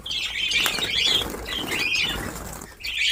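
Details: Breeding colony of budgerigars in Darbhanga, Bihar, India: overlapping squeaky, warbled chirps from several birds in continuous chatter, with fluttering wings throughout.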